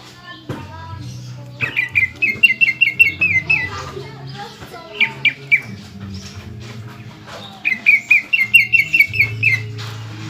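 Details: Greater green leafbird kept in a cage, singing loudly to provoke rivals: two rapid runs of sharp, repeated ringing notes separated by varied chirps and slurred phrases, over a constant low hum.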